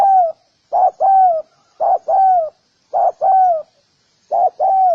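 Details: Spotted dove giving paired coos, a brief note then a longer smoothly descending one, repeated four times at about one-second spacing in a quiet background.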